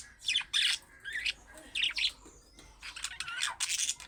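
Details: Budgerigar calls for stirring pet budgerigars to answer: bursts of grating squawks alternating with bright, wavering chirps, repeated in groups about every half second.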